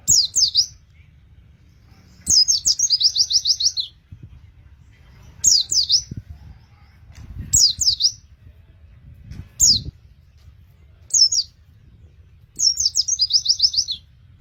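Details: Oriental white-eye, song for coaxing other white-eyes into singing: repeated bursts of high, fast chirps and rolling trills every couple of seconds, some phrases ending in rapid buzzy rattles, over soft low rumbling.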